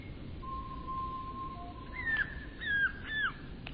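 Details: Eurasian bullfinch singing: a long, soft, steady whistle held for over a second, then a few clearer descending piped notes in quick succession, over a low background hiss.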